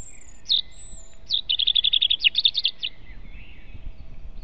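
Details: Dawn song of a European robin near its nest in forest, April 2016: a high phrase ending in a fast, even trill of about fifteen repeated bright notes, over quiet low background noise.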